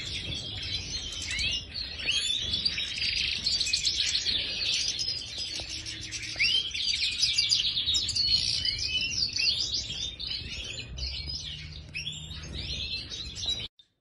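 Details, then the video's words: Aviary group of major goldfinches producing a long, dense twittering chorus of rapid chirps and buzzy trills, overlapping continuously before stopping abruptly near the end. "Stieglitz Major Voliere طائر الحسون الرائد"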